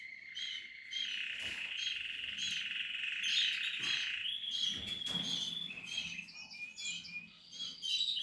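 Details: Singing Portuguese harlequin canary during nesting holds a long sustained buzzy trill, then breaks into quick high chirping notes, with some soft knocks and rustles.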